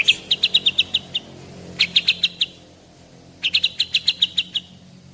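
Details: Caged Medan white-rumped shama, 11 months, 24 cm, singing bird prepared for contests, uttering fast series of bright ticking notes, six to ten per burst, in three bursts with pauses between.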